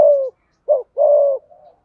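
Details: Spotted dove giving thúc gù and gáy gọi coos in the hạp bổi voice style: a low level coo, a short clipped note, then a long steady coo fading into a faint murmur.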